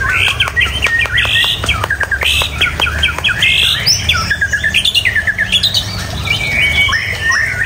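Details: Rich, fast white-rumped shama song: a run of sharp clicking notes, then varied whistles and quick slurred phrases tumbling over one another, over a low background hum.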